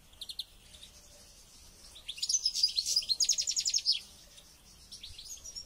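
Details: European goldfinch prepared for a local goldfinch contest, giving a few thin notes and then a fast, rich, high-pitched twittering phrase lasting about two seconds.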